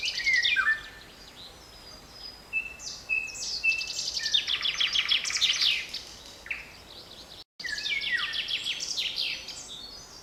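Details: Birds singing in a forest on 7 May 2020: bright high chirps, trills and whistled phrases from several singers overlapping, loud bursts at the start and after a brief dropout, over a soft steady background.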